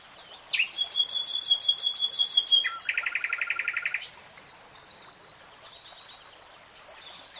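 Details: Common nightingale singing: a fast machine-gun series of sharp clicking notes, then a lower buzzy rattling trill, followed by softer high thin whistles and twitters in the background.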